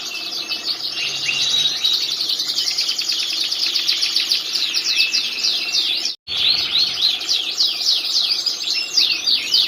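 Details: Canary singing a master song used for training other birds: loud, continuous high trills and rapid warbled phrases with only a momentary break partway through.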